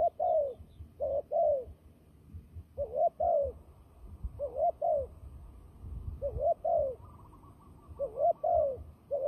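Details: A fighting turtle dove, its voice used to lure birds into traps, calls in doubled low coos, each note bending upward then sliding down, spaced by brief pauses over a faint low rumble.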